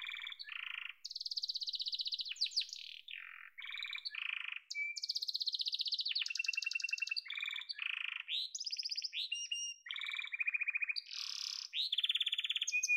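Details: Song of a yellow canary, an unbroken chain of varied tours: high buzzy rolls, lower bubbling trills, quick rising whistles and rattling phrases, each held a second or so before switching, with no other sounds.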